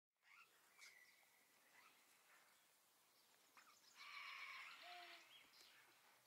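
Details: Two Superb Parrots foraging through a grassy area for grass seeds give short chirps, then a loud, harsh, grating burst about a second long, with faint background calls and rustling.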